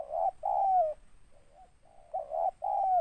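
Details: Tekukur, a local spotted dove with a big scraping voice: a short note and a long descending coo, a soft wavering trail, then the phrase starts again with two strong coos.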